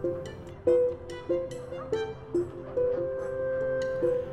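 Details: Light plucked string music, ukulele-like, with a gently stepping melody; no animal calls can be picked out.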